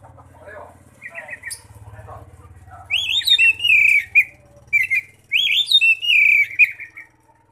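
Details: Oriental magpie-robin ngeplong song used as a lure for other magpie-robins; soft chatter first, then two loud bursts of swooping, whistled phrases over a low background hum.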